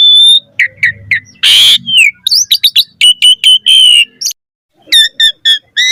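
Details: Varied, vigorous Asian pied starling song meant as a lure: short whistled chips, a loud harsh screech, rapid clicking notes and steady whistles, then after a short pause several bright, evenly spaced repeated calls.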